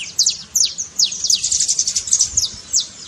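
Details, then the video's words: Trincado song of a saffron finch, meant to rouse a silent canary to sing. Quick, piercing high chips and steep downward strokes packed closely together in a steady stream. "trincado pra foguea seu canário frio"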